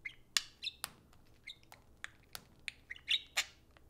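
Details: Two pet parakeets interacting at play time indoors, giving dense budgie chatter: rapid sharp clicks, short squawky chirps and wavering whistled warbles, ending in a louder burst of scratchy notes.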